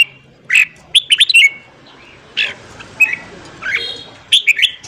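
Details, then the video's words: Red-whiskered bulbul giving its morning song, meant to stimulate newly caught birds. Clear, warbled whistles come in short clusters, with softer notes between them and steady low background noise. "luyện giọng chào mào hót sáng kích lửa cho chào mào bổi"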